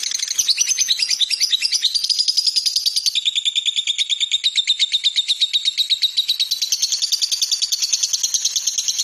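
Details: Long unbroken lovebird trill used as master song for training songbirds, Indonesia: fast, buzzy, high chattering notes pouring out continuously, with a slightly descending, then level, shrill tone throughout.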